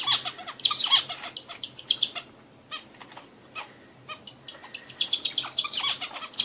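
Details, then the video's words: Bulbul giving rapid bursts of short, sharp, high chirps and chattering notes in irregular clusters, with brief pauses between bursts and a soft low hum behind. "hint bülbülü sesi"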